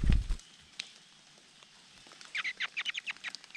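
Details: Large niltava nestlings being fed by their father: a loud thump opens, then after a quiet gap a rapid series of short, sharp, high chirps repeats about three times a second.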